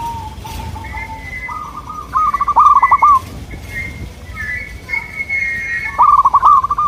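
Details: Zebra dove of local stock calling to draw answering birds: quiet low coos, then two loud rattling trilled phrases about three seconds apart, with higher whistled notes from other birds overlapping.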